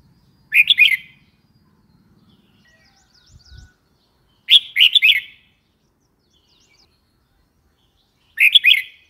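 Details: Red-whiskered bulbul giving three cheerful, rollicking phrases of quick slurred notes, spaced about four seconds apart, with a brief soft thump between the first two.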